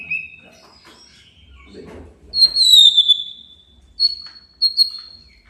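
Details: Rival-provoking song of a white-rumped shama: a short whistle, a brief murmur of background noise, then a high sliding whistled phrase and two clipped high whistles about half a second apart.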